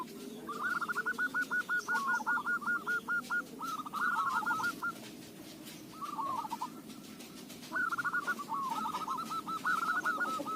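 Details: Local zebra dove singing, a voice described as suited for use as a lure: three bursts of quick, rolling, stuttered cooing notes with short pauses between, over a faint low hum.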